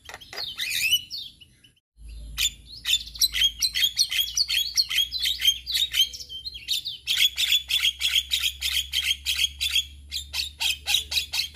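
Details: Male Javan myna, used to train other mynas, delivering a long, fast series of sharp chattering and squeaky whistled notes after a short pause, with a steady low hum beneath.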